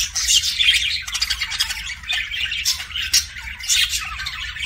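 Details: Budgerigars making soft kissing sounds within continuous high, scratchy chatter and warbling, with squeaky chirps scattered throughout and a low hum underneath.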